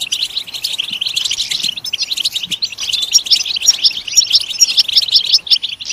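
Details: Goldfinch song for motivating caged singers to respond, heard as a softer, busy twitter of quick chirps and short trills that continues evenly without clear breaks.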